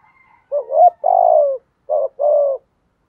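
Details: Spotted dove cooing, used to stimulate decoy birds: low, hollow coos in a phrase of two joined notes, then a short pause and two briefer coos, against a quiet, clean background.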